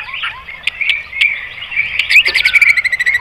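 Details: White-rumped shama song played to provoke other birds into singing, with soft warbled notes and clicks building into a quick series of high chips.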